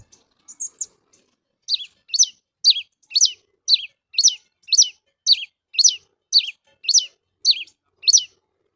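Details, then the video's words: Cravina, the red-cowled cardinal, opens with a few scattered high notes, then gives a steady series of about twelve bright downslurred whistles, one every half second, in a quiet setting. "Cravina Cajueiro Cantando Na Cara do Solto"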